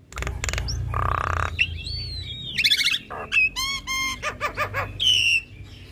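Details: Female Javan myna kept in a cage, chattering steadily. Harsh rasping bursts mix with short clicks, stacked whistles and a long wavering whistle near the end, all over a low background hum.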